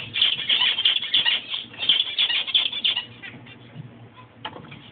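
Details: Black-faced zebra finch with checked breast, singing: dense nasal buzzy chatter of rapid repeated notes for three seconds, then softer scattered notes and a single later note.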